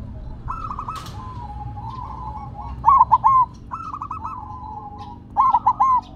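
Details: Zebra dove of a silver variety sings while resting on the ground: two emphatic phrases of three rapid hooting notes, about two and a half seconds apart, against softer rolling coos from nearby doves.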